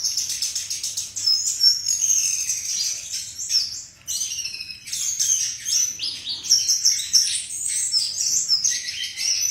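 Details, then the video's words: Flycatcher with a sweet, beautiful voice delivering a long, continuous warble of high chirps, thin whistles and buzzy rattles, dipping briefly near the middle before resuming at full pace. "Burung Sikatan Bersuara Merdu dan indah"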